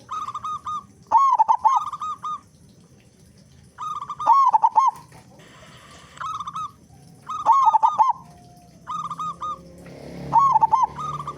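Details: Local zebra dove with a big voice, used as a lure to make other doves sing quickly: low hoarse cooing phrases, each a stuttered run of notes followed by a steadier rolling coo, repeated about every three seconds, with a brief hissing noise between.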